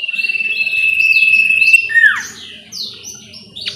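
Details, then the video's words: Sooty-headed bulbul song used as a lure to make a caged bird sing. A steady pulsed trill runs underneath, with a loud downward-sweeping note near two seconds and high, overlapping chirps from other birds. "Pancingan sirtu lain auto nyaut"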